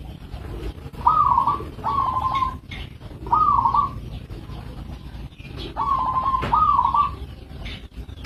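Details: Local zebra dove singing a series of quick, purring, trilled coo phrases, some with a slight rising hook at the start, given in pairs with pauses between, over constant low-frequency background rumble.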